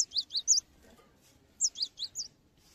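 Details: Cinereous tit singing to spur other tits into song: two short bursts of four thin, high chirping notes each, separated by a second of quiet, over soft background noise.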